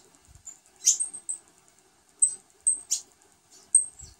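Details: Saffron finch (Sicalis flaveola) with a new brood of nestlings gives very high, thin squeaks in short bursts, several within four seconds, with brief soft rustling between; call.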